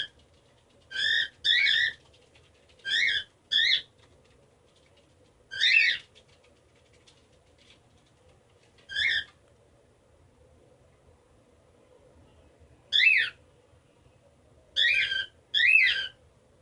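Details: A male pet cockatiel, which loves flipping his head, gives loud, harsh, rising chirps, often in quick pairs, with pauses between.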